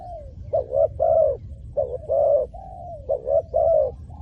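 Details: Spotted dove calling to lure wild doves, with rhythmic coo phrases repeated about every second, each a short lead note then a longer mellow coo, some linked by soft sliding notes.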